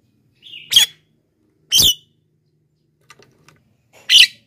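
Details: Javan myna recording for attracting wild birds and encouraging silent ones: a brief rising whistle then three loud, coarse squawks, with a few faint ticks between.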